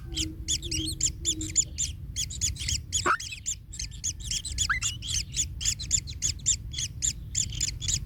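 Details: Kingfisher young in the nest, a chick pained by its parent treading on it: dense, hurried chattering squeaks, nearly two per second, with one brief sliding whistle midway, over low rumbling noise.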